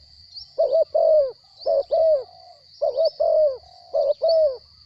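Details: Spotted dove kept in captivity calling in a soft, low voice: four paired coo phrases, each a short note then a longer downslurred one, evenly spaced, over a steady thin high-pitched hum.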